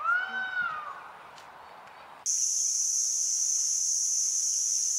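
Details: Green peafowl in Wianglor Wildlife Sanctuary, Doi Phunang National Park and Thub Phayalor Non-hunting Area, Phayao province, northern Thailand: one loud, harmonic, arching call under a second long, then a steady, high, shrill insect drone.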